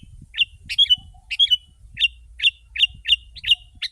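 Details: Chattering song of a sooty-headed bulbul, a lure for wild birds: evenly spaced loud bursts of bright slurred chirps, roughly three every second, in a clean recording with little background.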